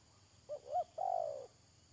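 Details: Spotted dove serving as a trapping decoy utters two brief rising-falling notes and then a long vibrating coo, loud and close against a still background.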